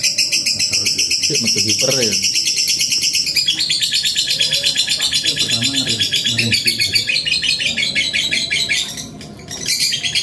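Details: Lovebird ngekek-style master recording made for training other birds, long-duration: a dense, continuous, rapid buzzy chattering trill held high and steady throughout, with faint low murmurs and voice-like sounds beneath.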